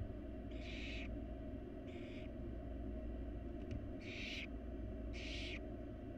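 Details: Wild barn owl babies being fed by their mother in a monitored nest box give four broad, noisy hissing calls, each nearly half a second long, with faint clicks and a low steady hum.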